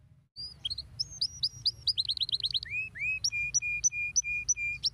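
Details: Canary song used to stimulate other canaries: a fast varied run of high whistled notes, then rapid sliding trills and a series of evenly repeated clear whistles near the end, with low background hum.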